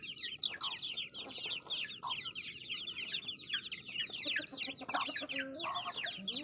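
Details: A flock of baby chicks peeping continuously, shrill downward-slurred notes overlapping densely, with a few lower tones appearing toward the end.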